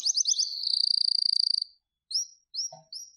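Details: Canary song: a stuttered opening, then a long, very rapid buzzy trill held on one high pitch for over a second, followed after a pause by three short rising chirps.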